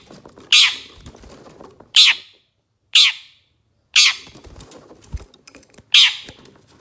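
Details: Long-tailed shrike on a songbird-training master track, giving six grating, raspy squawks about a second apart, each sharp at onset and trailing off, with soft background rustling.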